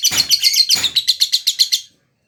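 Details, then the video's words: Short lovebird ngekek burst: a quick string of about a dozen shrill, rasping chirps that stops abruptly into silence. "Love Bird Ngekek"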